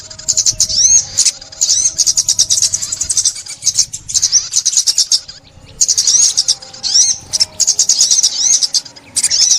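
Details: Sunbird song used for trapping in 2021: shrill trilled bursts with looping whistled sweeps, a longer pause near the middle, then renewed rapid high chatter.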